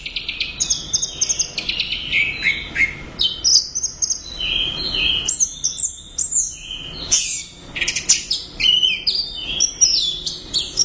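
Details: Energetic Orange-headed thrush song, loud and sustained: buzzy high trills, clear whistles and quick descending slurs run together in a dense, ever-changing sequence.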